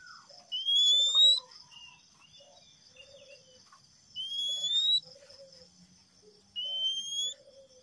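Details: Male oriental magpie-robin repeats a loud, pure, upslurred whistle three times, about every three seconds. Soft low warbling notes fill the gaps, over a steady high background hum.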